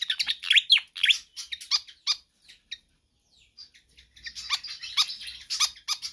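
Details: Pied fantail singing energetically, offered as a tutor and lure track for other songbirds: rapid squeaky, scratchy notes with sharp downslurred whistles, a quiet gap midway, then a renewed dense burst of chatter.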